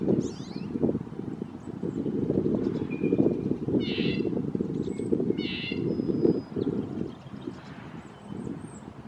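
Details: Red-breasted nuthatch calling twice, each a brief nasal tooting note with stacked overtones, roughly one and a half seconds apart, against loud low rumbling noise and scattered faint high chirps and whistles from other birds.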